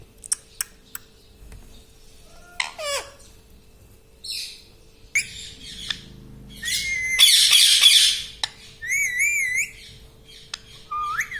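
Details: A pet rose-ringed parakeet, reportedly saying "mummy", gives scattered clicks and short squeaks, then a loud raspy burst and a run of rapidly wavering whistled syllables, over a steady faint hum.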